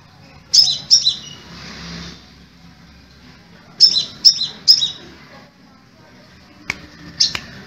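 Crimson sunbird giving sharp, very high chirps in quick bursts of two or three notes, separated by pauses of a few seconds; faint low hum behind.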